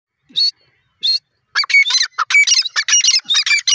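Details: Francolin, known locally as dakni teetar, giving harsh, squawking calls: two isolated notes, then a dense run of loud, rasping, repeated bursts after about one and a half seconds.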